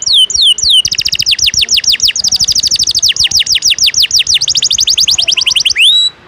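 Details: Canary tutor song in the 'ngejos' filler style: brief swooping whistles, then an unbroken, very fast trill of high downslurred notes lasting about five seconds, closing with a single rising whistle.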